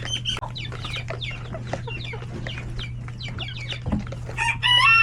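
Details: Chickens, roosters and chicks in a coop at hectic lunch time, many short downward peeps and clucks overlapping throughout, with a louder harmonic squawk near the end and a steady low hum underneath.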